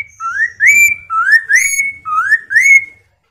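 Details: Chinese hwamei song meant to make other birds reply and sing: three pairs of loud, clear whistles, each note sliding upward, the second note of each pair higher and longer, with short pauses between pairs.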